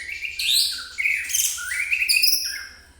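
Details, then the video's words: White-rumped shama song used to provoke other birds: loud, rich whistled phrases jumping between pitches with rising and falling glides, continuous over a faint low hum. "suara pancingan murai emosi"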